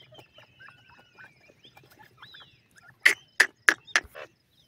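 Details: Francolin calling: near the end, a run of four loud, harsh, clipped notes spaced about a third of a second apart, preceded by faint chirps and thin whistled notes from other birds against a quiet background.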